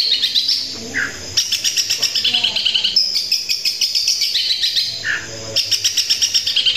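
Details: Long-tailed shrike (cendet) singing in the energetic 'tembakan kuntilanak' style: rapid trains of sharp, high chirps repeated several times a second, broken by short descending whistles and lower chattering notes.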